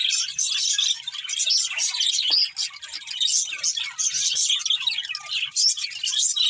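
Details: Budgies chirping in a steady, dense chatter of high, scratchy chirps and twittering warbles with no pauses, rising and falling in loudness, and a sharper squawk near the middle.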